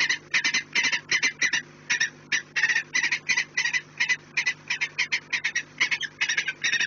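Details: Peregrine falcons at the nest on 4 March 2019 at 16:28. Harsh, grating kek notes come in rapid bursts, about three per second, with short gaps, over a low steady hum.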